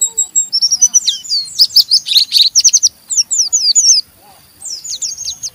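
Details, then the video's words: Pleci, Oriental white-eye, chattering rough ngeriwik to stimulate rival white-eyes; bright high chirps bunched into a loud burst, then spaced falling notes, a brief pause and a softer closing twitter. "Burung Pleci Ngeriwik Gacor merangsang Pleci Bahan ikut Ngeriwik Sampai Buka paruh"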